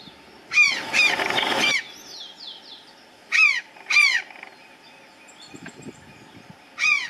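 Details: Azure Jay (Cyanocorax caeruleus) resting on the topmost branch of a tree gives loud, harsh, ringing calls, each a short burst with a strong bright note near the top, repeated four times at irregular gaps; a faint whistle between.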